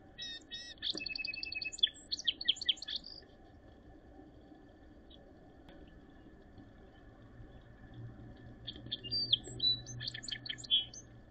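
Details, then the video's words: A song sparrow in Northern Ontario during snowy late April 2023 gives two songs about seven seconds apart, each opening with clear notes then quick trills and buzzy jumbled phrases over a faint low hum. "Song Sparrow Sings"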